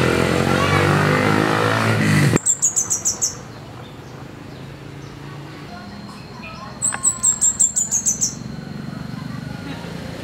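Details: Fire-breasted flowerpecker in the wild delivering two separate runs of high, ticking notes, each about six to eight notes long, after a loud burst of noise at the start.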